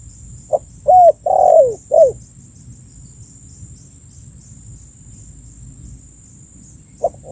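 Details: Spotted dove call for luring birds: one full phrase of four soft, low coos, the third long and gliding down, followed by a long pause and the short opening note of the next phrase; faint continuous high-pitched hum.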